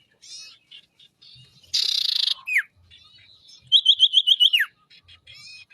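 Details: Ashy tailorbird in loud, lively song: a sharp buzzy burst, a falling slurred whistle, then a quick run of seven bright repeated notes ending in a downward swoop. Softer high chirps are scattered between the phrases.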